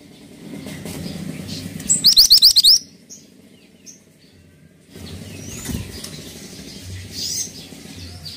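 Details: Pied triller in active song: a single loud burst of about eight quick, high, repeated notes lasting under a second, set against low rumbling background noise and faint distant chirps.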